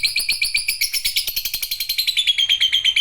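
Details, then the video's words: Long chattering lovebird song, a fast run of harsh, buzzy chips repeated about three times a second, high-pitched and fairly even, ending on a drawn-out whistled tone. "Burung LoveBird Ngekek Panjang"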